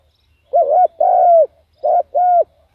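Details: Two paired phrases from a spotted dove serving as a decoy to lure wild doves; each phrase is a wavering short coo followed by a longer, steady, hollow note.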